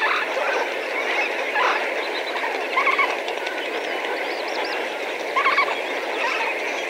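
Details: Several thousand Lesser Flamingos calling together at medium distance, a steady honking murmur with scattered louder nasal calls standing out every few seconds.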